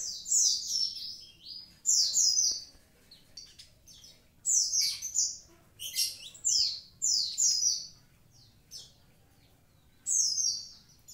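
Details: Javan pied starling singing actively: loud bursts of high, descending whistled and chattering phrases every two to three seconds, with quiet pauses between.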